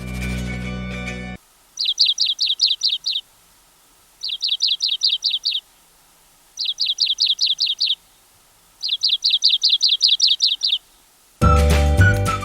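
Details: At Uda Walawe National Park, Sri Lanka, a Richard's pipit gives four quick bursts of about seven high, rasping notes each, roughly every two and a half seconds; music plays briefly at the start and end.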